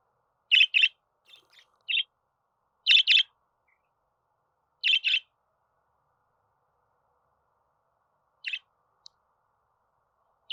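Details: Budgerigar giving doubled buzzy chirps every two seconds or so, separated by silence, with a few softer single notes between them.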